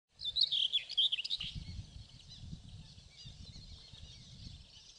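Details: Singing male common whitethroat in southern Poland on 27 May 2016, giving one short, scratchy, chattering warble of about a second, followed by low rumbling background noise.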